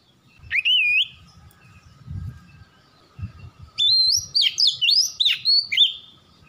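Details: Oriental magpie-robin song from a lure recording for prompting singing: one rising whistled phrase, a pause with faint low thumps, then a rapid cascade of warbled, swooping whistles.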